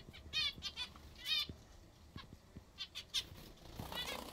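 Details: Zebra finches eating their favourite food give short, nasal, buzzy beeps, several in quick bursts at an uneven pace, with soft tapping and fluttering underneath.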